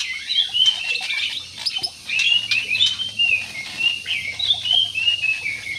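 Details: Flock of jumbo parakeets in an aviary giving continuous chattering calls: quick high chirps and short slurred twitters overlap from several birds, rising and falling in loudness every second or so.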